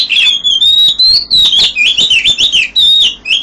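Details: Oriental magpie-robin singing loudly at 5 a.m., a dense run of rich whistled phrases with quick up-and-down slides and brief gaps, very close and intense throughout.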